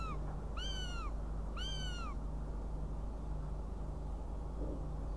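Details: Riga, 29 June 2016: a northern goshawk utters two loud, slurred, down-curving wails a second apart, with the start of another at the end, over a low background hum.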